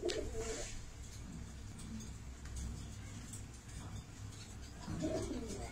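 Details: Black domestic pigeon pair, courting, kissing and mating, giving low, soft cooing phrases near the start, around the middle and again at the end, over a steady low rumble of background noise.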